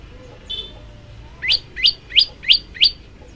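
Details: Bar-winged Prinia (prenjak lumut), an actively singing male, phone-recorded: after a soft short note, five loud, bright, sharply downslurred chirps follow at steady intervals of about a third of a second.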